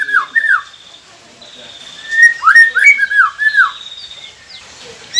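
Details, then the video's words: White-rumped shama song played to encourage quiet captive birds to sing. Mellow, arched whistled notes repeat in loose series, alongside a faint, thin, steady high tone. "Murai Pendiam Cepet Buka Suara dengan masteran ini | shama bird"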